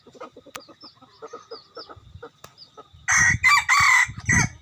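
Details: Decoy rooster used as a lure gives a harsh, broken crow in loud bursts after softer background chirping and clucking.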